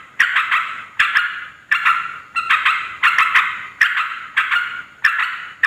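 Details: Noisy yellow-vented bulbul chatter meant to attract wild bulbuls of both sexes: rough, burbling bursts repeated roughly every second, each opening with a sharp tick, slightly uneven in rhythm.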